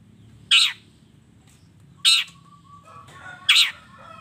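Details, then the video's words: Long-tailed shrike in a combination fill-in song: three loud, harsh, rasping notes about one and a half seconds apart, with soft lower warbling after the second. "suara kicau cendet gacor FULL KOMBINASI ISIAN AMPUH"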